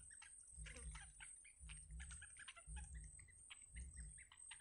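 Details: In a wild nest, yellow bittern chicks call as their mother feeds them, a busy run of quick thin chirps and squeaks over repeated low thuds and a steady high tone.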